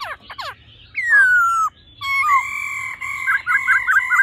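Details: Laughingthrush male singing in old-forest voice alongside the female's 'ro' calls, used to excite the male fast: sharp downswept notes, a long falling whistle, then a steady tone ornamented with repeated quick curled flourishes.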